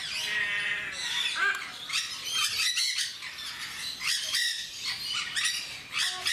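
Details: Several captive jenday parakeets at Mysore Zoo give loud, shrill, harsh, grating squawks in quick overlapping bursts with little pause; finding: Jenday conure.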